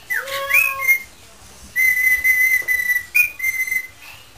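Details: Pet parrot in a singing mood, improvising while attempting the tune 'Spanish Flea': a low sustained whistle, then a rising glide and several long, steady, clear whistled notes separated by short pauses.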